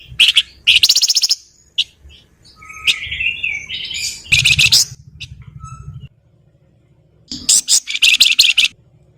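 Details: Flowerpecker singing in mixed style: bursts of fast, harsh, high chattering alternate with softer warbled notes and a short pure whistle, with a low hum in the background.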